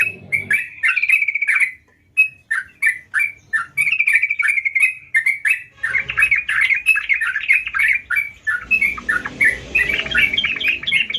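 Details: Lively gacor song of a sooty-headed bulbul: runs of quick, chattering whistled notes, roughly three per second, briefly pausing, then building into a denser, busier flurry toward the end over a soft background rumble.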